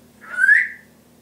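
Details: Timneh African grey parrot kept as a pet indoors, mimicking household sounds; a single clear whistled note rising then falling, about half a second long, in a quiet room.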